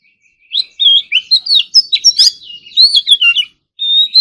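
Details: Oriental magpie-robin in full competition-style song during morning voice practice, packed with fill phrases: a rapid run of clear, sliding whistles and sharp chips jumping between high and very high notes, a short pause, then a sustained thin whistle.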